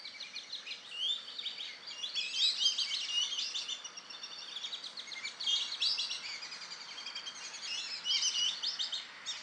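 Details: Young male Amazon kingfisher in vegetation edging a lagoon in Campinas, São Paulo state, Brazil, giving loud, dense, high-pitched chattering phrases that rise and fall in repeated bursts for about nine seconds.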